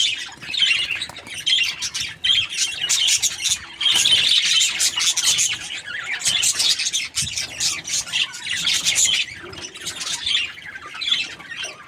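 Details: Budgie chirping in a happy mood: long run of fast, grating chatter and squeals, loudest in the middle, with warbled phrases tumbling over one another and brief lulls between flurries.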